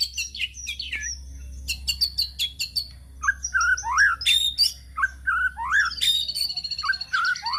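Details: White-rumped shama singing as a lure for other birds: clicking bursts and high whistles give way to repeated swooping, looped whistled phrases, over a steady low hum.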